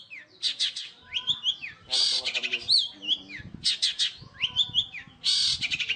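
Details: Long-tailed shrike in "roll speed rapat" song, a fast tight roll: varied chattering high notes, sharp whistled slurs and rattling bursts in close succession, with faint low background noises beneath.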